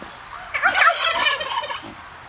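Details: Domestic turkeys kept on a farm outside Edmonton, Canada, filmed close up; a rapid, quavering gobble runs for about a second and a half, its rattling tones fading away over a quiet background.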